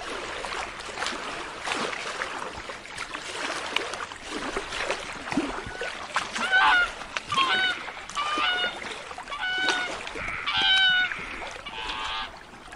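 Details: A pair of black swans in a courtship "love dance" gives a series of bugling, harmonic calls with a slight wavering quality over splashing water.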